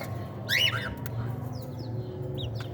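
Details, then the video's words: Cockatiel chicks at a playful meal time give a quick cluster of harsh, rising chirps with stacked overtones, then a few fainter upswept notes, over a steady low hum. "Cockatiel chicks playful meal time."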